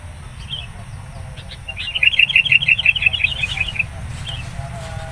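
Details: Agitated wild sooty-headed bulbul confronting an approaching rival during trapping late in the morning: one rapid run of about a dozen sharp, high chirps lasting under two seconds, with faint scattered notes before and after over low background hum.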